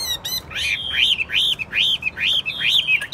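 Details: Chinese hwamei kept caged in Vietnam for song and fighting, repeating a clear arched whistle that rises then falls, about every half second, six times in a row, loud and ringing against a quiet background.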